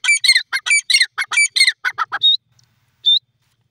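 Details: Wild grey francolin (teetar) calling: a fast burst of about a dozen loud, harsh, ringing notes packed into two seconds. A short pause follows, then two thinner, higher single notes.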